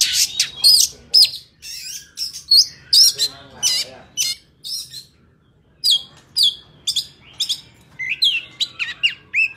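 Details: Oriental magpie-robin in wild forest song, used as a training file for young birds: loud, varied whistled notes and sharp chirps in short bursts, a quiet pause midway, then renewed rapid phrases.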